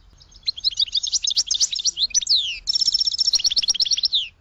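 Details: Goldfinch delivering a fast, continuous twittering trill of high chirps, broken by a downward slide, then a second rapid trill ending in a falling note.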